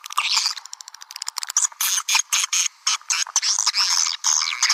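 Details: Lure call for attracting swiftlets: rapid clicking and scratchy chirps that build into loud, harsh high twitters arriving in quick clusters.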